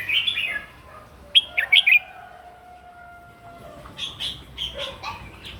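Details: Morning fighting song of a red-whiskered bulbul, used for voice training: chirpy whistled phrase, then a quick run of loud sharp notes, a long thin drawn-out whistle and more lively chirps at the end.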